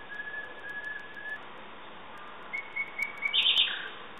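Common nightingale singing: a long run of soft repeated notes, a pause, then rising piping notes ending in a rich rattling flourish.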